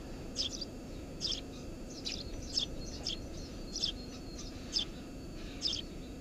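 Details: Eurasian tree sparrow nesting under a house roof: clear, bright double chirps repeated about every second, each a quick two-note burst, against faint low background noise.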